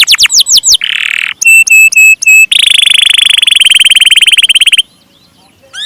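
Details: Canary song: a few fast sweeping notes, a buzzy note, short flat whistles, then a long rapid pulsed trill lasting over two seconds before a pause.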